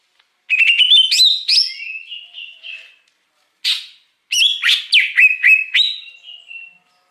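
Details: Wild greater green leafbird song used as a lure for wild birds: bright, varied whistled phrases with quick rising and falling notes, bursts of rapid chirps and trills, and a brief pause midway.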